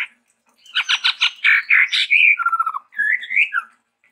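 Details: Varied song of a Chestnut-rumped babbler, a bird endemic to Sumatra: fast rattling chatter leading into slurred whistles, a steady lower whistled note, then a rising and falling warble.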